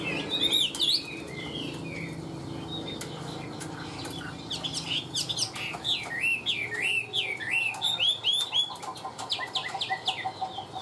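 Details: Caged, tame Chinese hwamei kept for sale, singing very evenly: a fast run of loud, slurred whistles that rise and fall in looping phrases, with sharp clicks and a faint low hum behind.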